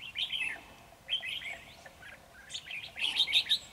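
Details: Decoy red-whiskered bulbul in a trap sings quick, high, warbled phrases, about one each second, ending in a louder, denser burst of chirpy notes.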